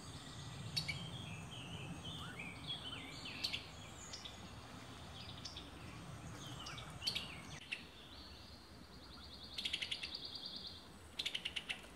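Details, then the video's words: Summer tanager in Alabama delivering slurred warbling phrases. Later come two clipped bursts of rapid, sharp ticking notes. Low rumbling background noise fades partway through. "Beautiful Summer Tanager Songs"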